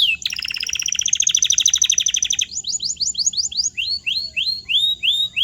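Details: Canary song used as a training sound for silent birds: a fast, even trill of high notes for over two seconds, then a series of sweeping upward-curving whistled notes repeated about twice per second, over a faint low hum.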